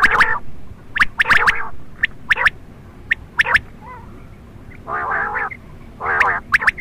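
A quail gives sharp clicking notes and harsh, nasal raspy bursts, coming in uneven clusters over a faint background hiss.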